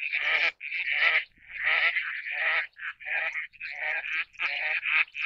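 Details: Eastern spot-billed duck: a run of harsh, nasal quacks, about eight bursts in five seconds, each broad and raspy with short gaps between, fairly loud and close, with no other clear sounds.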